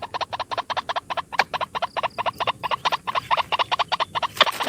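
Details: Single White-breasted waterhen recorded as a lure: rapid, harsh, rhythmic clucking notes repeated several times a second against a noisy background, ending with a louder broadband burst.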